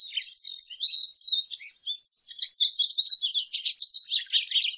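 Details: Lesser goldfinch in full song: a continuous, fast medley of high chirps, slurred whistles and buzzy twitters lasting the whole stretch, without gaps.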